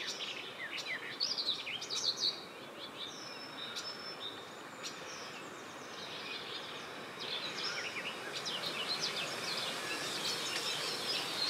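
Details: A Garden warbler in Latvia sings fast, bright warbling phrases in two bursts, against a steady hiss of background noise.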